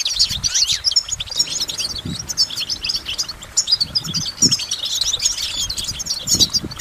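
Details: Goldfinch singing a continuous jangling twitter of quick, high, tinkling notes and slurred chirps, with a few soft low thumps beneath.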